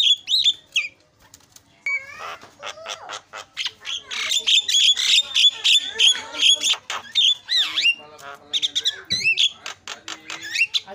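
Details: Starling chatter used to stir a silent bird into song: loud, busy stream of whistles, buzzy trills and clicking notes, with wavering upslurred whistles returning throughout.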